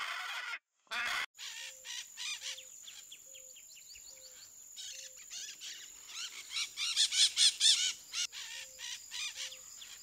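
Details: Critically endangered blue-throated macaws linked to artificial nest boxes. Rapid rasping calls repeat roughly twice a second and swell into louder harsh bursts near the end, over a steady low-pitched hum.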